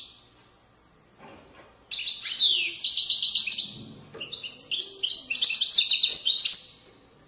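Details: European goldfinch singing in the authentic widani (widaniya) style from Moroccan valley riverbanks: after a near-silent start, a dense high twittering run of rapid, tinkling and buzzy notes, with descending slurs and trills, continuing to the end.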